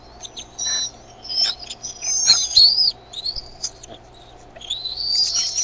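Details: Decorah bald eaglets calling for food brought by their mother, 13 May 2015, early evening CDT. Repeated high whistled chitters and squeals rise and fall in quick irregular series, ending in a longer wavering squeal.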